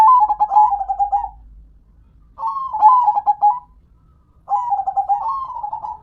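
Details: Local perkutut (zebra dove) singing three long cooing phrases, each a rapid pulsed stutter flowing into rolling, wavering coos that fade out, about two seconds apart.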